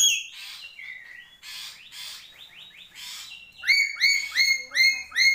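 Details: Papuan black-capped lory starting with rough squawks and short downslurred notes, then switching to a quick series of five loud, ringing harmonic calls, each sharply rising then held, roughly every 0.4 seconds.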